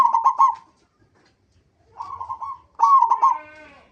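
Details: Local zebra dove in full song, used as a lure to get other zebra doves singing: bursts of rapid, rolling staccato coos, then a pause and two more trilled phrases, the last with a drawn-out falling tail.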